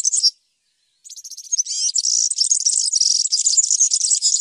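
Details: European serin song: a short high twitter, a pause, then sparse notes building into a rapid, continuous, sizzling jingle of thin tinkling notes.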